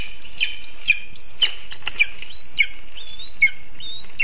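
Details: Hungry lesser spotted eagle chick in a nest in a spruce, Zemgale, Latvia, 19 August 2024, begging with thin, high, rising whistled squeals, one about every half second, over a low background hum.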